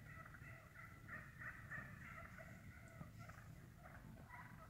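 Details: Feeding wild turkeys in the woods utter a run of rapid clucks and short purring notes, several birds overlapping, with low background rumble.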